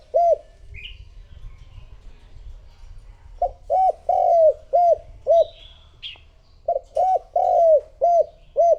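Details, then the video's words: Decoy spotted dove cooing to attract other doves. After one opening coo there is a pause with faint chirping from other small birds. Then come two runs of deep, rounded coos, each run holding a longer slurred note among the short ones. "Cu gáy mồi thúc gù gọi bổi / Suara Burung Tekukur Gacor"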